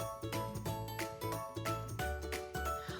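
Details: Bright instrumental music with jingling, tinkling tones and a steady beat plays throughout, with no animal sounds.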